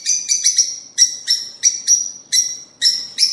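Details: A quick series of about ten piercing squeaky chirps from rosy-faced and Fischer's lovebirds, sound intended to encourage mating, some notes doubled in close pairs.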